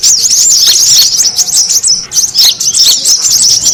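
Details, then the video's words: Brown-throated sunbird calls played to lure birds. High, thin twittering and curling chirps run in a dense overlapping stream, with a short steady whistled note around the midpoint amid the noisy chatter. "SUARA PIKAT KORLAP RIBUT"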